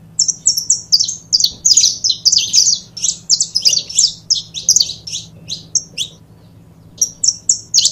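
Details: Two captive saffron finches chattering in a long run of high, crisp chirps, steady and fast, pausing briefly near the end before resuming with a few clear notes; soft hum below.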